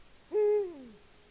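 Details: Eurasian eagle-owl at its nest in Latvia, 14 February 2020: one deep, hollow hoot that swells quickly, holds steady, then slides down in pitch as it fades, in a quiet setting.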